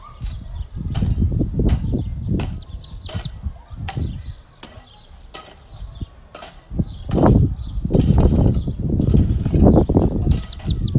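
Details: Bananaquit singing a great deal: quick bursts of very high, thin descending notes run together into a wheezy trill, heard twice, over loud low rumbling and thumping handling noise.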